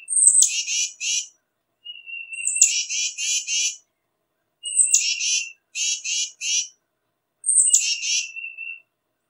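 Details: Tufted titmouse calling: each bout opens with a thin, high, falling note, then three or four harsh, buzzy notes. Four bouts come about every two and a half seconds, with a faint lower whistle at times and a quiet background.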